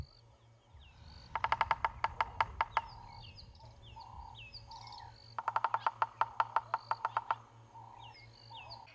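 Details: A bearded woodpecker drums in two bursts of about a dozen sharp knocks each, slowing slightly, pecking wood to claim territory as a territorial call, with other birds calling softly behind.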